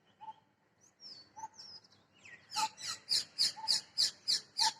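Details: Parrot perched in a tree: a fast series of shrill, harsh high-pitched squawks, about three per second, building in loudness, preceded by a few thinner whistled notes and faint lower chirps.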